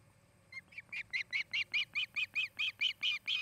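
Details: Nest-camera recording of an osprey in Charlo, Montana, 8 August 2018: a chirp series starting faint and building quickly into loud, squealing whistled notes repeated about three times per second.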